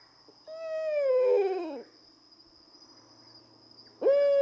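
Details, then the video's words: An owl's call starts as a steady tone and slides downward in a quavering, whinnying fall lasting over a second, followed by quiet, then a second call begins with a sharp rise; a faint constant high tone runs throughout. "The Distinctive Calls of Owls"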